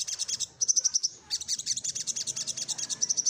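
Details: A little spiderhunter sings persistently while looking for a rival. It gives quick piercing chips and a short high trill, then a dense rolling series of shrill notes.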